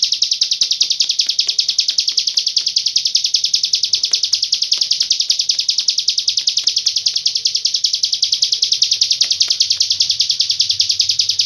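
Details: Long-breath song of a hill prinia carrying cililin-style filling: an unbroken stream of high, piercing notes, evenly pulsed and sustained for the whole stretch, with slight low rumble behind.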